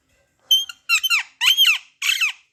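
A parrot gives four harsh, high chirps in about two seconds, each a quick raspy burst with a downward slur. No other sounds.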